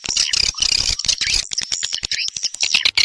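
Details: Swiftlet calls meant to draw others back to nest, a busy stream of sharp high chirps and trills mixed with rapid clicking ticks, many birds overlapping without pause.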